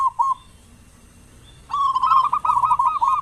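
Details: Local zebra dove with a big voice, used as a lure to get other doves singing in the morning and evening: a short low note, a pause, then a fast run of rolling, slightly buzzy coos for over a second.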